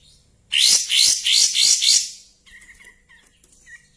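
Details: Kapas tembak in breeding condition with tail spread, singing five loud, high rising whistled notes about every 0.35 seconds, followed by softer thin chirps.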